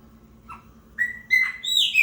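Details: Territorial song of a 'preta fumaça' chopi blackbird: a soft low note, then a bright whistle and a rising, ringing phrase that grows louder toward the end.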